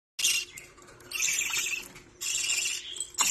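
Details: Baby budgerigar at a parakeet rescue playing with a ball and other toys during lunch, giving bursts of high, scratchy chattering chirps separated by brief quieter gaps; a person speaks right after.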